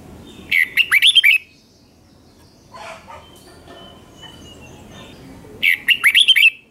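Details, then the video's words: Double-style song of a Red-whiskered bulbul, used to teach young birds: two lively bursts of fast, bouncing whistled notes at the start and end, with quieter scattered chirps and a thin drawn-out whistle between them. "เสียงนกกรงหัวจุกเบิ้ล2 ก๊อปติดง่ายสายปั่นลูกนกไม่ควรพลาด"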